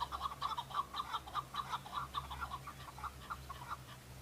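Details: Rhythmic clucking chuk notes from male Chukar partridges fighting and displaying to females in breeding season on Bamo mountain, Kurdistan, repeated briskly in uneven pairs and triplets, with a steady low humming background.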